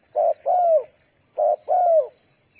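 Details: Spotted dove decoy for trapping gives two paired coos, a flat short note followed by a longer coo falling at the end, the pair repeated after about a second, over a constant high-pitched whine.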